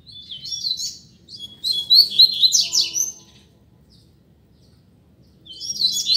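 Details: Rusty-collared seedeater (coleiro) in a singing duel pours out a long, loud, fast twittering phrase with piercing high notes, goes quiet for about two seconds, then starts again.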